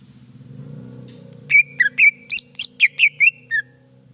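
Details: Greater green leafbird song used to stimulate other birds: a quick series of about ten bright, varied whistled chips and slurs over a low background hum.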